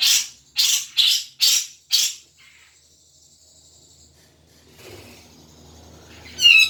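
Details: Lure recording of a grey-cheeked bulbul, used to prompt a caged bird to sing: five loud, scratchy notes spaced under half a second apart, then near quiet with light background hiss and a brief high chirp at the end.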